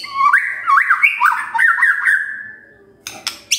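A magpie-robin pours out a rich run of loud whistled notes that slur up and down and fade away, then gives a few sharp, harsh bursts.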